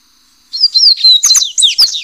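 A yellow-bellied seedeater bursts into a fast, high twittering song of slurred whistles and buzzy trills after a brief silence; no other sounds.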